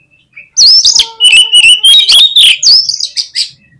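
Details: Oriental magpie-robin (kacer) singing gacor: a sudden intense run of very fast, shrill whistles and sharp clipped notes, rising and falling for about three seconds without pause, then fading out.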